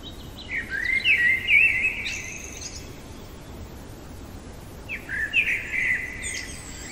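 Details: Common blackbird singing deep in the night, two full strophes about four seconds apart, each a low mellow warble rising into a scratchy high twitter, with calm hissy quiet between.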